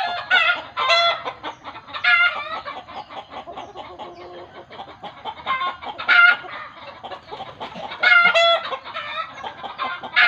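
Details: Long bout of chicken alarm calling, believed in the village to signal it sees a ghost: continuous rapid clucks with repeated loud, harsh cackling squawks every two seconds or so.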